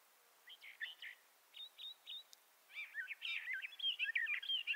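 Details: Bendire's thrasher singing: a few short buzzy notes, then a brief run of rolled chips, then a fast jumble of warbled, slurred phrases that grows louder toward the end. No other sounds stand out.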